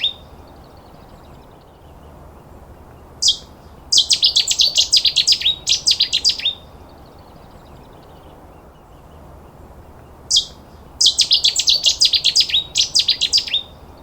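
Cetti's Warbler gives two sudden, explosive bursts of loud, high, rapid notes, each lasting about two seconds and about seven seconds apart, over a quiet, hissy background.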